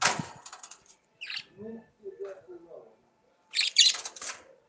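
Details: Budgerigars warbling, with a loud scratchy burst at the start, then soft gurgling, tonal murmurs and another harsh chattering outburst near the end.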